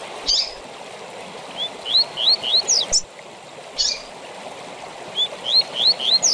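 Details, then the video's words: Double-collared seedeater, tui tui zel zel song used to train caged birds: a buzzy note leads into four rising whistles and a sharp downslur, then the phrase repeats after a pause, over continuous stream-like hiss. "TUI TUI ZEL ZEL DE FIBRA TOP PARA ENCARTE DE COLEIROS E PAPACAPIM"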